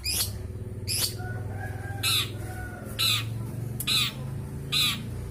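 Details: Freshly moulted long-tailed shrike from Bojonegoro, caged in Jombang, East Java, Indonesia; loud rasping screeches repeated about once a second, with a low hum in the background.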